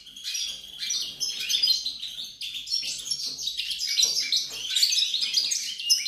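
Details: European goldfinch song recorded 28 November 2020: a dense, continuous twittering of high, rapid chirps and trills, bright and tinkly, running with only brief dips throughout.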